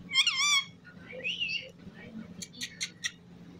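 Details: Whistling pet parrot: a loud, rising and wavering whistle with rich overtones opens, followed by softer squeaky notes and a run of short, clipped sounds, with voices in the background.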